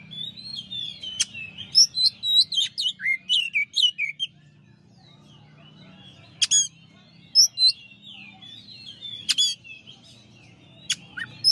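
An Oriental magpie-robin sings a fast run of sweet, varied whistles and slurred notes, then spaced single phrases, with sharp clicks and a low background hum.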